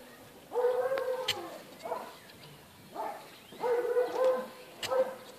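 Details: Turkey at an observatory giving harmonic, slightly nasal calls, each burst lasting up to a second, in three separate groups with short pauses between them. Faint clicks are also heard.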